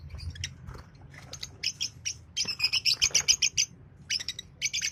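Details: Green Fischer's lovebird pair chirping: a quick, even run of bright, piercing chirps, about three or four per second, between looser squeaky notes.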